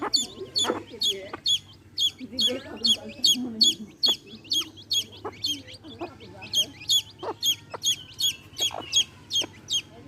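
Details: Hen with baby chicks: a long run of piercing, high, regularly repeated chick peeps, briefly pausing midway, with soft low murmuring clucks from the hen beneath.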